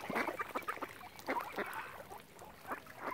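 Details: Ducks near a swan family on Lough Neagh at Oxford Island, Ireland, give a quick run of short nasal quacks early on, then quieter scattered calls.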